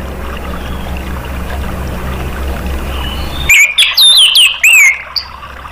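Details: Orange-headed thrush song used as a lure to prompt other caged birds to sing: after three and a half seconds of low rumbling background, a burst of loud, clear, sliding whistled phrases, high and rapidly repeated, ending in a short rising note.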